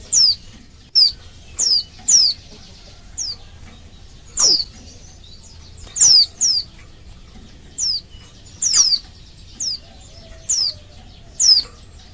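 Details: Female Oriental white-eye in breeding condition calling to males, used to stir males into singing: thin, high, downward-slurred whistled notes repeated in irregular bursts, roughly a dozen over twelve seconds, some doubled, over a quiet background.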